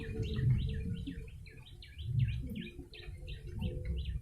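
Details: Yellow-bellied prinia calling nonstop for bird luring: a dense series of bright, dropping chirps, roughly two to three per second, set against steady low-pitched hum and thumping.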